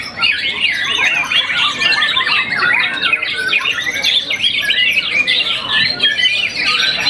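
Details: Continuous, rapid, richly varied song of a young white-rumped shama that has moulted once, a champion contest bird: wavering whistles and quick chirps packed tightly together throughout.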